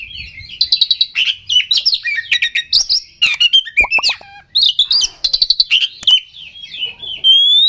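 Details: Lure song of an oriental magpie-robin meant to agitate rival birds, delivered as fast, varied whistled phrases mixed with harsh rattling bursts and short trills, ending on a long rising whistle.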